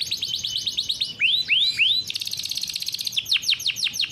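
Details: Captive-bred canary singing a rolling 'ngeroll' song, used as a master to train young canaries: fast high notes, then three rising upswept slurs, then a rapid trill and a run of sharp downswept notes.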